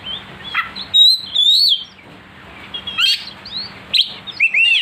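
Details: Agitated kacer (oriental magpie-robin) singing aggressively after provocation: long bright whistled phrases and scratchy notes, a quiet gap mid-clip, then renewed sharp slurred whistles, low hum beneath.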